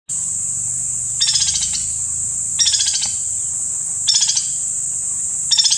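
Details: White-naped woodpecker in Kanha National Park, Madhya Pradesh, India, giving four short, fast, dry rattling bursts of evenly spaced notes, about one every one and a half seconds, over a constant shrill insect drone.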